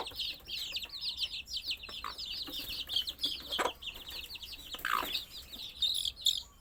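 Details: Baby chicks chirping rapidly and continuously, many high, short, downward-slurred peeps overlapping in a dense chorus, with scattered clicks and brief rustling thumps.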